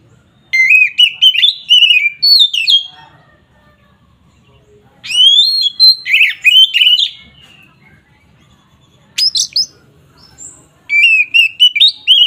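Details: Agitated ngeplong song of an Oriental magpie-robin (kacer), used to rile rival birds: four loud bursts of clear, sliding whistles and quick repeated notes, with silent gaps between them.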